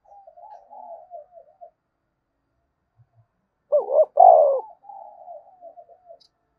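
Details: Energetic thúc bổi cooing of a spotted dove, used to set other doves calling: soft murmured rolling notes, then one loud stuttering double-note coo with a drawn-out hoot, trailing into quieter wavering murmurs.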